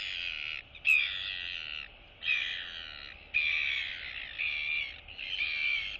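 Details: Royal albatross chicks meeting and greeting a neighbour in the colony, 9 September 2022: loud, harsh, drawn-out nasal wails, four long bursts separated by short pauses.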